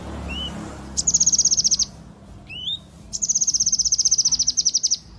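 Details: Yellow-eared spiderhunter singing actively, shown as a long, even, high rapid trill of clipped notes repeated in two bursts, with brief upslurred whistles between them over a quiet background.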